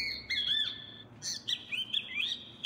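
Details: A Great Kiskadee on an agroecotourism trail at Cerro Elefante, Lara, Venezuela, in the Barquisimeto metropolitan protected area, gives loud, harsh, high notes: a drawn-out squawk, then several quick slurred calls rising and falling, over faint background rumble.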